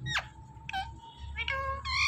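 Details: Talking Indian ringneck parakeet mimicking speech: a quick downward squeal, then short harmonic, voice-like syllables with nasal buzzy overtones, spaced about every half second, over a low room hum.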